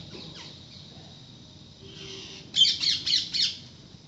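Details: Parrots that visit a home every day: after quiet background hiss, a burst of four harsh, rapid squawks close together near the end.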